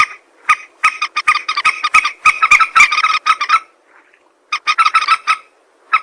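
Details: Common moorhen hunting lure call: rapid bursts of harsh, clucking notes in rattling runs, with a brief pause before another burst.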